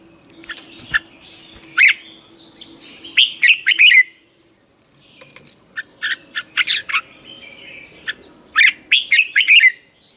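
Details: Red-whiskered bulbul morning training song used as a decoy to provoke other bulbuls to sing: repeated bursts of bright, fluty warbled notes in quick groups of three to five, separated by pauses, with faint high chirps from other birds.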